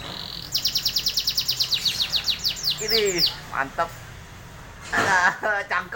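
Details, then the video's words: Canary song: a fast run of about twenty high, evenly spaced chips, then downward-sweeping slurs and short buzzy trills, ending in a burst of rapid notes, with a faint background hiss. "Kicauan burung kenari.mantep gaes suaranya"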